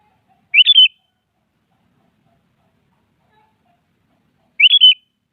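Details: Sooty-headed bulbul singing in the morning to challenge a rival: two short bubbly whistled phrases of three or four quick notes, about four seconds apart, in silence.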